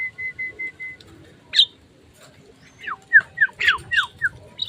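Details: Caged Javan myna after a bath and sunning, a routine kept to make the bird tamer and more vocal. Four short, even whistled notes repeat, then a harsh burst, then a quick run of downslurred whistles mixed with rasping notes.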